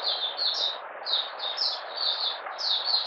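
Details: Oriental white-eye from Malaysia, in minor moult, 31 July 2023, sings a continuous run of high, thin, warbling, slurred twittering phrases with brief pauses about every half second.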